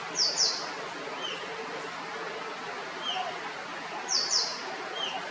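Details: Rusty-tailed flycatcher in Kerala, India; short high dry rattling call in two quick bursts, repeated after about four seconds, with fainter lower single notes between, over steady background hiss.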